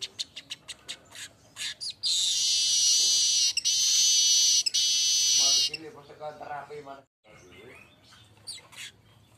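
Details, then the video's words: Streaked weaver, golden-headed form, singing hard: a quick run of ticking clicks, a long loud buzzing hiss split by two short breaks, then chattery notes trailing into faint clicks. "SUARA ASLI BURUNG MANYAR UNTUK MASTERAN DAN PANCINGAN"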